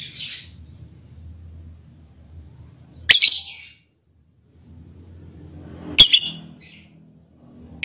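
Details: Lovebird calling in a mating context, with its effect on the male partner noted; loud harsh screechy bursts, each under half a second, at about 0, 3 and 6 seconds, with quiet low room noise between.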